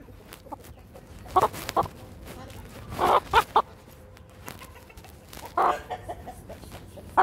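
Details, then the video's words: Brahma rooster during an attack, giving short harsh squawking bursts at irregular intervals, some in quick pairs, over a quiet background. "هجوم ديك البراهما"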